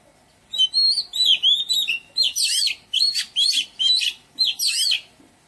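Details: Melodious garden song of an Oriental magpie-robin: a rapid series of varied whistles and warbles, some sweet and sliding, others harsher and buzzier, pouring out in short bursts with brief gaps for nearly five seconds.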